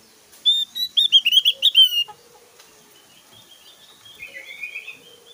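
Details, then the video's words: Javan grey-throated white-eye song: a rapid burst of about ten loud, piercing, high whistled notes over two seconds, followed by quieter buzzy trills and a softer high twittering phrase. "SUARA SIULAN JUGA TEMBAKAN 💯 DAHSYAT BURUNG OPIOR JAWA GACOR"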